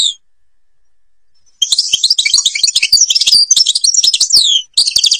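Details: Algerian European goldfinch song, from the Babas forest at Tiberli: after a short near-silent start, a fast jumble of bright chirps and slurred twitters runs on, then stops briefly and resumes.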